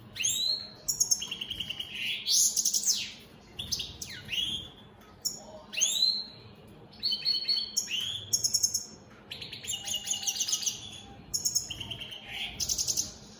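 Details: Domestic opal split satinette European goldfinches singing steadily: a dense run of rising whistles, buzzy rattling trills and fast twittered notes with few gaps.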